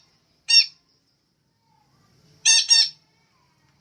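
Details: Female and male caged songbirds used to stimulate other kept birds into singing; harsh squawking calls with stacked harmonics, a single burst followed by a close double burst, separated by silence.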